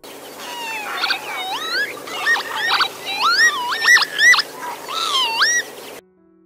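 Northern Lapwing giving a run of wheezy, slurred 'pee-wit' calls, each rising and twisting in pitch, several in quick succession over about five seconds.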